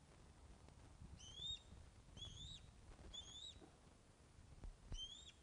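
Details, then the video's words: Osprey calling at the Loch of the Lowes nest webcam, 21 August 2012, 16:35, around a fish delivery. Four thin whistles, each rising then falling at the end, come at irregular intervals over low, steady background noise. "Loch of the Lowes Ospreys 21 August 2012 16.35hrs - Fish Delivery"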